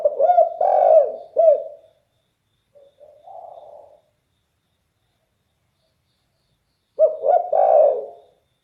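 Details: Spotted dove with a deep, bass, very loud voice, giving two bursts of low, rapid cooing notes separated by a softer single coo and stretches of silence; nothing else audible.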